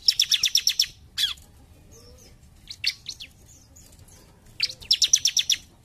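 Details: Bar-winged prinia, 'gacor jump shoot' song: a rapid rattling series of high, clipped notes opens and closes the passage, with a few loud falling chips and soft faint notes between.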